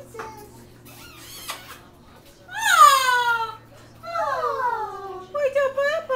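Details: A pet double yellow-headed amazon, tattling on a child who teases it, gives two loud, drawn-out, falling squawky phrases, whining "MAAAAA!", then a quick wavering run of notes, with children's voices faintly behind.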